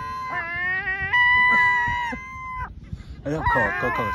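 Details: Seagulls tempted with a doughnut utter long cat-like mews, a wavering nasal wail that holds steady then breaks off, followed after a pause by a rougher, tumbling burst of overlapping cries.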